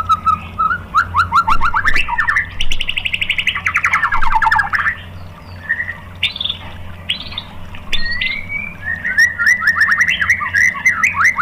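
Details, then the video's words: Lure song of a white-rumped shama meant to provoke rival shamas, with rich varied phrases: rising whistles, dense rapid trills, slurred sweeps and sharp clicks, steady low hum underneath. "SUARA MURAI BATU FULL TEMBAKAN ¦ PANCINGAN MURAI ¦ SHAMA BIRD"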